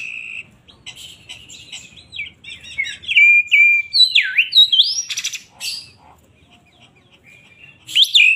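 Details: Oriental magpie-robin (kacer poci), singing agitated and in full voice: varied loud whistles, sharp chirps and swooping slurred notes, some rising and falling steeply, with harsh buzzy bursts between phrases.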